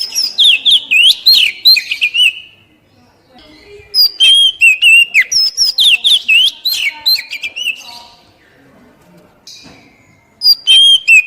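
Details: Oriental magpie-robin (kacer) poci song used to trigger captive wild-caught birds into singing; two long bursts of rapid whistled and twisting notes, about four per second, separated by a quiet gap, with a short phrase returning at the end.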